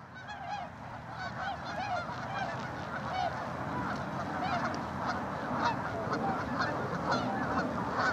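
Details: Large gathering of tundra swans with geese and ducks, Mississauga, Ontario, Canada, 16 March 2013: continuous babble of mellow, reedy hoots and honks, about two per second, swelling slightly in volume over the recording.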